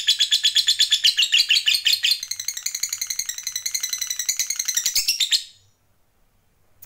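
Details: Fighter lovebird performing ngekek panjang, the prized long chattering song: a fast, unbroken, pulsing trill held for over five seconds, about three notes a second, ending abruptly into silence.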